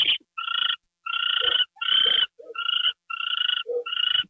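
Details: Owl getting a mouse treat on January 28, 2013, at 9:33 PM. Repeated harsh buzzy bursts about every half second, with brief lower grunting notes slipped between them.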